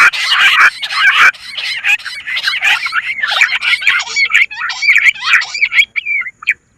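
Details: Bush quail calls used as a lure: a busy, continuous jumble of short, chirping, whistled notes from several overlapping voices, easing off toward the end.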